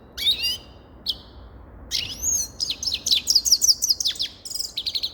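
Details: A grey-crowned goldfinch sings a buzzy opening note and a thin whistle, then breaks into a fast, tinkling twitter of repeated rising chirps that continues to the end.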